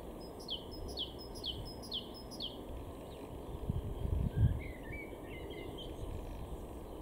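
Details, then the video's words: Great tit singing in a garden in Weener, East Frisia, far northwest Germany, in April; a rapid series of about eight high two-note phrases, each note sliding down, then softer twittering from another bird and low rumble. "great tit 0:00"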